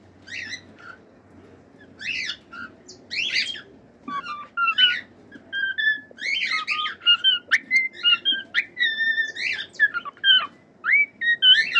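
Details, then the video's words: Cockatiels singing a mix of harsh, buzzy chirps and clear whistled notes, growing busier and more continuous through the second half, with short rhythmic phrases. "COCKATIEL SINGING!"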